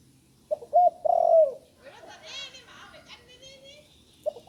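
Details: A spotted dove still new to calling utters one phrase: two short hoots, then a long quavering coo sliding down in pitch. After it come soft scratchy sounds and faint chirping, and a fresh coo begins at the end.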